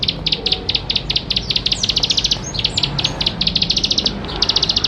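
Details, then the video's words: Bar-winged prinia, known locally as ciblek sawah, singing energetically as a lure for young birds to sing: long, fast trains of high, dry chipping notes, nearly continuous, with a brief thin whistle midway. "Ciblek Sawah Gacor Full Isian Mewah || Untuk Pancingan Ciblek Sawah Muda Agar Cepat Bunyi"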